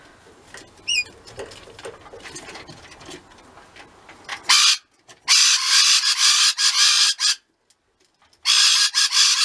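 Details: Pet rainbow lorikeets, kept at home: faint chirps and clicks at first, then loud, harsh, continuous screaming that comes in long bursts of several seconds, broken by short silent pauses.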